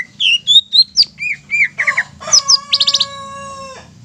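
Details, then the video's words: Greater green leafbird lure song to stir rivals into singing: varied high chirps and slurs, a buzzy double note, a quick trill, and a sustained tonal note ending the phrase. "PANCINGAN INI BIKIN CUCAK IJO LAIN TERPANCING EMOSI DAN GACOR"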